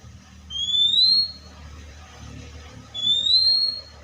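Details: Oriental magpie-robin, said to imitate other birds and sound like the wild: two long, clear whistles sliding gently upward, about two and a half seconds apart, over a quiet low background hum.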